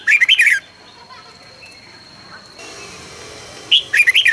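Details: A red-whiskered bulbul's morning song for training, recorded 2020: a lively warbling phrase of bright whistles, a quiet gap with a faint hum, then another sharp note and bubbling phrase.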